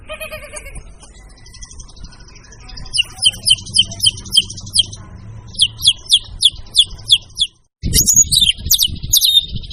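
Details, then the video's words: White-rumped shama (murai batu) in full, vigorous song used as a training recording for kept songbirds: a faint start, then sharp high chirps repeated rapidly, a brief silence and a burst of dense, scratchy notes. "siapkan mental burung anda jika mendengar suara burung murai satu ini"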